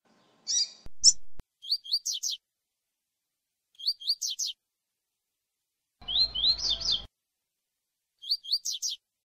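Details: Double-collared seedeater song of the 'tui tui' style, recorded with a female present and used to warm up birds: short bursts of three or four quick, high, sliding notes repeated every two seconds, with early clicks and a brief rattling noise midway.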